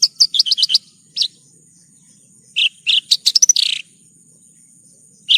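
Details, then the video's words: Branjangan (bush lark) song in a nonstop tutor recording: a rapid string of high chirps, a lone note, then lower whistles leading into quick trilled notes and a buzzy rising phrase. "Masteran Burung Branjangan"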